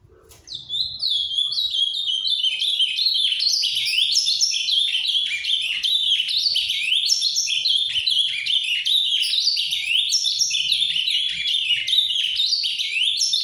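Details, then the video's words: Captive ultramarine grosbeak delivering long, soft paraná-style farrapo song: after a quiet start, a steady, continuous stream of rapid, varied whistled notes, slurs and trills that runs without pause. "AZULÃO CANTANDO MUITO (AZULÃO FARRAPO)"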